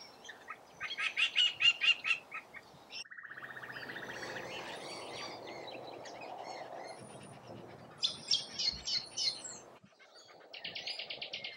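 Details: Rainbow lorikeets feeding in Australia. Harsh, buzzy screeches come in quick rhythmic bursts at the start and again near the end. A steady mid-pitched hum and softer chatter fill the middle.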